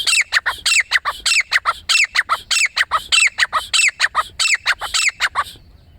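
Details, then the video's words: Grey francolin calling: loud, shrill, harsh notes in a rapid, steady series, roughly twenty-five bursts in six seconds, each with a falling tail, stopping abruptly at the end. "grey francolin portrait#birds life ❤️ King birds call"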